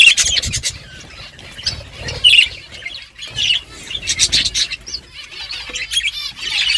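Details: Budgies chirping while they eat give soft, scattered high twitters and squeaks, rising and falling in loudness, with dry clicks throughout.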